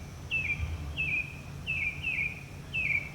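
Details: Northern Mockingbird singing near a community, part of a long varied performance: one clear down-slurred whistled phrase repeated five times at uneven intervals of about half a second to a second, over low background rumble.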